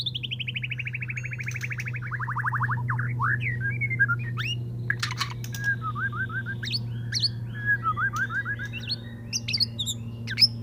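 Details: Male white-rumped shama courting a female, singing to bring her into breeding condition: a rapid descending trilled series opens, then varied whistled phrases, upslurred notes and short chirps follow over a steady low hum.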